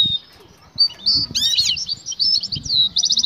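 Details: Excited female European goldfinch calling to the male to mate: high, thin twittering notes and quick liquid phrases ending in a short rapid buzzy trill, with low knocking and tapping sounds underneath.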